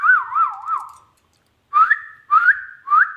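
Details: Talking ringneck parrot gives a looping, wavy whistle that dips and rises three times, then three short upward-slurred whistles.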